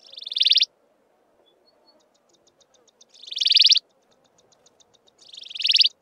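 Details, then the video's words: Wailing cisticola, maculatus subspecies, calling in Mountain Zebra National Park, giving three loud buzzy rising trills about every two and a half seconds, with soft rapid ticking notes between them. "Wailing cisticola calling (maculatus ssp.)"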